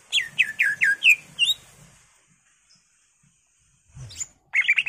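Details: Greater green leafbird, gacor full isian, a run of five or six bright downslurred whistles, a quiet pause, then a fast burst of chattering notes; soft low rumble beneath.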